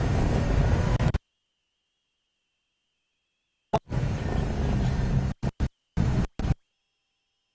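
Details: Loud broadband rumbling noise, like a running vehicle, comes in abrupt bursts cut by stretches of silence, with no animal voice heard.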